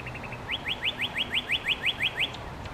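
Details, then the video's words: Northern cardinal song, recorded on a shotgun mic with a furry windscreen: three soft short notes, then a run of about eleven loud, sharply upslurred whistles repeated roughly six times per second over faint low rumble. "Northern Cardinal Song"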